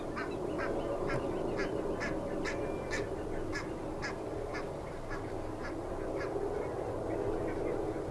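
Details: Pied avocet pair foraging in Hempolder wetland, Akersloot, Netherlands, Tuesday April 4; quick series of bright clipped calls, about four per second, fading slightly toward the end, over constant low background chatter and rumble.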